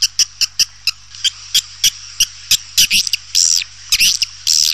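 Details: Swiftlet lure call: evenly spaced sharp clicking notes, roughly four per second, building into louder harsh chattering bursts near the end, with a steady low hum.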